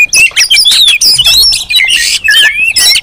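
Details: Oriental magpie-robin calling noisily, a busy recording used as a lure to provoke other magpie-robins; loud, dense whistled and scratchy notes, sliding up and down, in rapid overlapping bursts with brief gaps.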